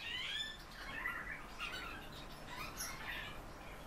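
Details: Captive common house martins give dry, scratchy chirrups and twitters, several overlapping in quick bursts, over a soft background hiss.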